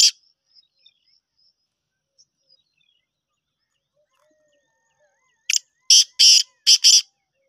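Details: Black francolin giving a call after several seconds of near silence broken by faint chirps. It is a burst of five harsh, rasping notes: one short note, then four longer grating notes delivered quickly in pairs.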